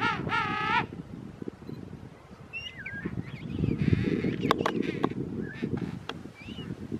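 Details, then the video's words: A King penguin chick being fed at Parque Pingüino Rey gives a loud, warbling, rich-toned trill in its first second, then thinner whistles and chirps over steady colony rumble and wind. "Baby King Penguin Feeding"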